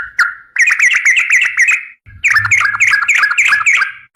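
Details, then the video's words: Sooty-headed bulbul of the garuda type singing gacor with long ropel for a masteran recording: a lone whistle, then two dense bursts of fast bright bubbling chirps, with a faint low hum under the second burst. "SUARA BURUNG TRUCUKAN GACOR"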